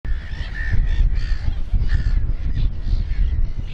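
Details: Black-headed gulls with fluffy chicks at RSPB Snettisham, Norfolk, on 29 May 2018 in the late afternoon: harsh, nasal calls repeated about twice a second over a steady low rumble of wind.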